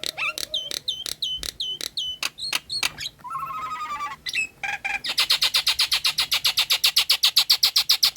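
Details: Female Nias hill myna in breeding condition calls the male: clicks and dropping whistles, a harsh grating phrase, then a long, fast, very regular train of repeated high notes.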